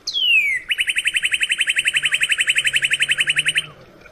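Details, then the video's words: Northern cardinal singing one loud down-slurred whistle, then a long rapid series of about thirty short identical notes delivered evenly for three seconds. "SOUND CARDINAL NORTHERN BIRD"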